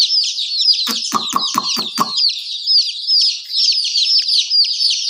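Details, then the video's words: Domestic chicken chicks chirping together, a steady wall of high, piercing peeps; five sharp knocking sounds come in quick succession early on, then the chorus continues alone. "Murgi baby chirping sound"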